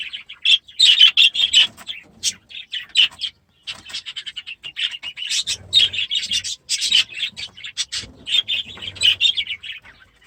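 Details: Last year's baby budgerigars, now grown, chattering in their new aviary during their first days there; choppy, high, twittering notes in quick uneven runs with short pauses between bursts.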